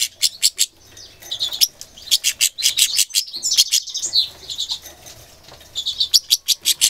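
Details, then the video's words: Irritated goldfinch mule from 2011 giving bursts of hard, high clicks, some in quick doubled pairs, broken by a burst of twittering and a short thin whistle. "Angry goldfinch mule"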